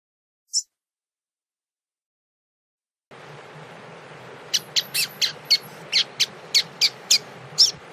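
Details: Warming up with a female before a contest, a tui tui style Double-collared seedeater gives one brief note, then over background hiss a steady run of sharp buzzy notes repeated about four times a second.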